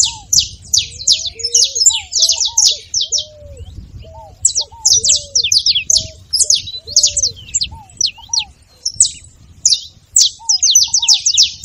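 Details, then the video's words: Saffron finch song meant to spur a reluctant canary to sing, delivered as dense runs of high, scratchy chirps in rapid clusters with short gaps. Soft, lower slurred whistles from another bird run underneath throughout. "canário da terra com belo canto pra foguea seu canário frio"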